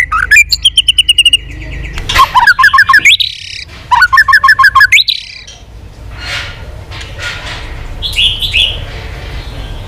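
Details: White-rumped shama singing competitively, many-voiced with tail flicking: three bursts of rapid rattling notes with rising glides between them, then several seconds of rushing background noise and a short high twitter.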